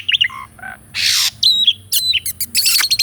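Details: Asian pied starling song played to prompt a quiet caged starling; mixed short whistles, a loud harsh rasping burst, a sustained clear whistle and rapid chattering notes at the end.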